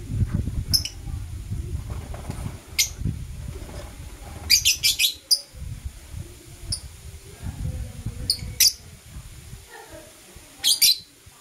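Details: In the morning, blue opaline and euwing opaline lovebirds give sharp high chirps, singly and in short bursts, over steady low rumbling background noise.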